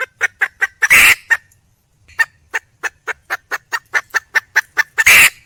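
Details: Female red junglefowl, wild, calling to attract a male: an evenly paced series of about fourteen short staccato clucks runs between two loud, harsh, drawn-out squawks.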